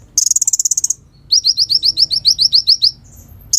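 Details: Sunbird in vigorous song, a tutor for other songbirds: a shrill buzzing trill, then a steady run of about a dozen sharp downslurred chips at roughly four per second.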